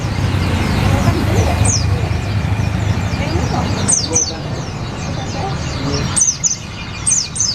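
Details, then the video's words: Olive-backed sunbird (sriganti, sogok ontong) singing, used as a tutor song for white-eyes: thin, high, downward-sweeping notes in short scattered bursts, set against a steady low rumble of traffic and murmuring background noise. "SUARA BURUNG SRIGANTI / SOGOK ONTONG ISIAN PLECI !!!"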